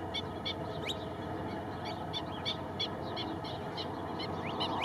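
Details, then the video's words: Female Kentish plover (Charadrius alexandrinus) alarm call at Mindelo, São Vicente, Cape Verde: sharp, high, clipped 'pit' notes in a quick, uneven series, several each second, over a steady roar of wind or surf. "Sonido de alarma del chorlitejo patinegro"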